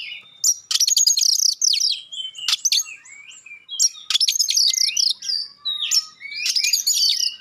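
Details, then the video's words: Magpie-robin song of sharp shots and clear voice to rouse other magpie-robins: fast rattling chatter blended with bright warbled whistles, coming in three loud bursts separated by softer lilting notes. "suara tembakan tajam juga suara jernih bikin kacer lain langsung respon ngobra"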